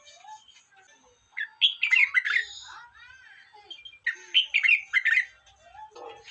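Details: Bright, bubbling song phrases from a red-whiskered bulbul, two main bursts of rapid rolling whistled notes about three seconds apart, with quieter low chirps before, between and after.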